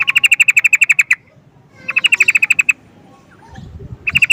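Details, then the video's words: Calling sooty-headed bulbul (trucukan): long runs of fast, bright staccato notes, the first about a dozen strong, then a shorter burst and a third beginning, with faint low background noise between. "Burung trucukan memanggil"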